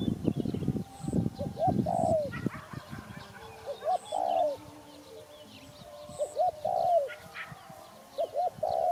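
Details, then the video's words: Spotted dove calling in repeated phrases of two or three quick coos and a longer slurred note, while small birds chirp high in the background and a low rumble fades out early. "Sound Spotted Dove"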